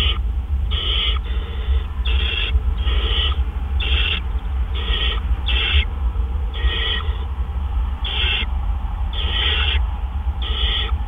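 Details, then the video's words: Owl calling during a food delivery at the nest at 4:03 AM on 12 April 2013. About fourteen rasping, hiss-like bursts come in an even rhythm, each under half a second, over constant low rumbling. "Dale Delivers Treat"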